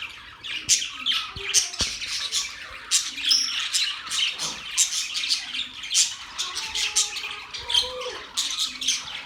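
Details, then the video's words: Budgerigars, October 11, 2023, in constant group chatter of sharp chirps, squawks and warbles, with occasional clicks and soft lower tones beneath the high calls. "Budgies chirping sounds"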